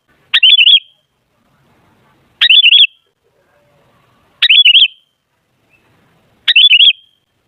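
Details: Sooty-headed bulbul song for luring other bulbuls into noisy singing: the same short, chattering, warbled phrase repeated four times, about every two seconds, against silence.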